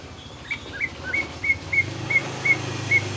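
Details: Greater green leafbird lure song meant to make a caged bird agitated: a steady series of thin, level whistled notes repeated roughly every third of a second over a low rumbling background.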